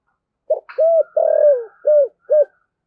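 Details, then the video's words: Spotted dove used as a decoy bird, calling in the 'thổ' voice with urgent coos: five low, mellow coo notes, the middle one longest and falling slightly, with a faint higher tone over them. "Chim Cu Mồi/ cu gáy giọng thổ thúc gù"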